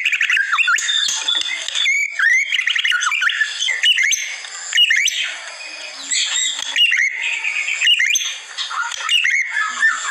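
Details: Masteran recording of white-rumped shama: harsh squawky notes and scratchy chatter mixed with sharp rising whistled slurs, dense and energetic, with short pauses between bursts.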